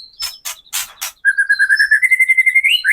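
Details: Murai batu, the white-rumped shama, in lure song for rousing other birds: a few harsh crackling bursts, then a long string of rapid, evenly pulsed whistled notes rising slightly before an upward slur.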